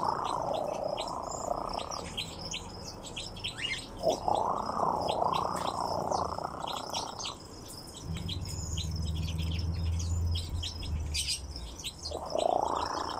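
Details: Nightjar vocalising. Long, buzzy, mid-pitched churring bursts of about two and three and a half seconds, separated by pauses, with a third starting at the end. Other birds chirp at a higher pitch and a low hum runs underneath.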